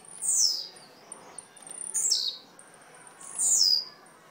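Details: Blue-black grassquit from Jacarepaguá, Rio de Janeiro, singing three high, buzzy phrases that fall steeply in pitch, spaced about one and a half seconds apart, with light ticking between.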